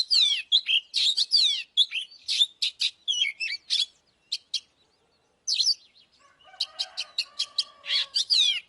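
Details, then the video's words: Oriental magpie-robin singing a fighting song: dense bursts of rich whistled notes and sweeping slurs, a short pause near the middle, then more phrases over faint lower steady tones. "Chòe than mồi Kích BỔI ĐẤU || Choè than HÓT - ĐẤU"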